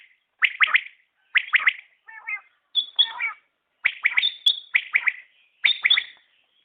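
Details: Common quail (batair) calling in quick clipped bursts of two or three notes, spaced about a second apart, with a few softer, differently shaped chirps in between.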